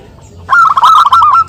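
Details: Local zebra dove in a calling exchange used as a lure: one short rippling burst of quick, even cooing notes at a steady mid pitch, starting abruptly after a quiet start.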